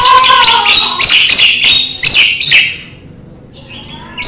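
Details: Javan myna chatter from a masteran for kept birds, set against rain therapy: a dense run of rapid harsh and whistled notes, about three per second, for two and a half seconds, then a quieter stretch with thin high whistles.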